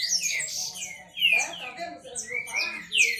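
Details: Green-winged saltators, several owned males singing against each other in a contest. Loud descending whistled slurs overlap with other high chirps, and the phrases come in bursts separated by short pauses.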